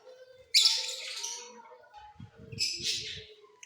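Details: Off-season singing of mutation lovebirds kept in a flying cage: two loud bursts of harsh, high chirping over a faint steady hum, with soft low thumps between them.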